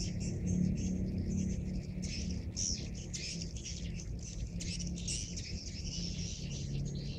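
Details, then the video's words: Swiftlets still entering a swiftlet house in Subang after the call to prayer, many birds present; overlapping rapid high chirps and buzzy twitters form a constant chatter over a low steady hum. "burung walet"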